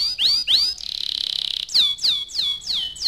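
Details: Young canary song: several bright whistled notes sweeping downward, then a buzzy, steady, high trill lasting about a second, followed by a run of quick descending whistled slurs repeated roughly every third of a second.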